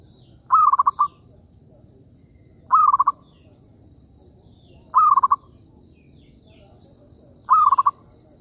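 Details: Zebra dove call used as a lure for trapping: loud, short bursts of rapid pulsed cooing, each about half a second, repeated roughly every two seconds over faint high chirps of other birds.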